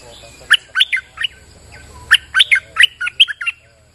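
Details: Bulbul in rainy weather giving a lure song: two lively phrases of sharp, bouncing chirps, each a rapid run of about five notes swinging up and down, separated by a short gap over faint low background hum.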